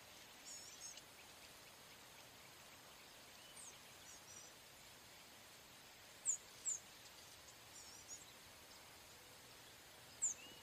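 A Blue-gray gnatcatcher gives a few very high, thin, down-slurred notes, spaced a second or more apart, over a steady hiss of background noise.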